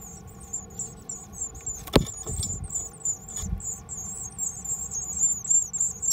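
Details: Japanese tit chicks in a nest inside a home mailbox, recorded 13 May 2020, give thin, very high chirps repeated rapidly and continuously, with a sharp knock and low rumbling thuds partway through.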